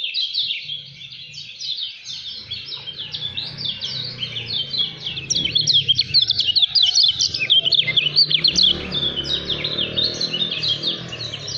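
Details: Fast, dense 'speed rapat fighter' song of a Lemon-bellied white-eye from Lombok: a long, unbroken torrent of high, chattering, zigzagging notes over a low background hum, growing sharper and more emphatic in the second half.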